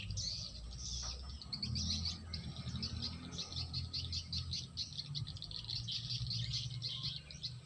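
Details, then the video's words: Many swiftlets give rapid, high twittering chirps in an unbroken chorus, with a constant low droning hum underneath. "SUARA WALET ASLI ORIGINAL"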